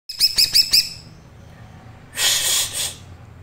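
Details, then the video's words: Green leafbird in thin trotol song style, played for birds to learn: four sharp high whistled notes in quick succession, then a harsh noisy rasping burst. "cucak ijo trotol tipis belajar bunyi"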